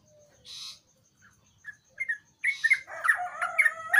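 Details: Sooty-headed bulbul in full song, used as a lure to draw a quiet bird into singing: a short buzzy burst, scattered clear whistles, then a lively run of bubbly, warbled notes.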